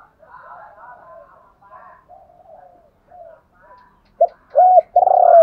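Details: Spotted dove kept as a decoy, calling to stir wild doves into answering; faint low cooing phrases early on, then three loud, clear hooting coos near the end, the last one drawn out.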